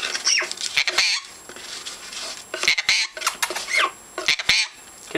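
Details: Pet Jenday conure (Aratinga jandaya), seemingly wanting a bath, gives short, squeaky, high chirps and chatter in uneven bursts, mixed with clicks and faint background noise, as its owner talks to it.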